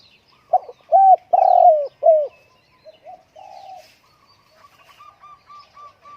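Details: Spotted dove kept at home on a windy day gives loud, hollow cooing phrases of three or four rounded notes early on, followed by softer, quieter coos and a run of short, evenly spaced higher notes toward the end.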